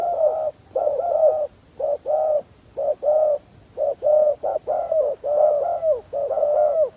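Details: Decoy spotted dove calling to attract wild doves, producing a near-continuous series of low, hollow coos in short and long notes, about one phrase per second, some overlapping as if a second dove answers.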